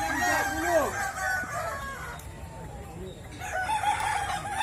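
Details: During a Kukuak Balenggek crowing contest in West Sumatra, roosters give curved, wavering crows, a brief lull in the middle, then a fresh round of overlapping calls amid crowd noise.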